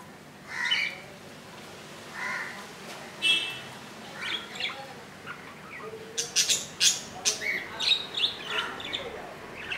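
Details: Budgerigar nest with a chick hatched 15 July 2018 at 2 AM, on its second day: scattered chirps and buzzy notes, building into a quick irregular series of sharp chirps.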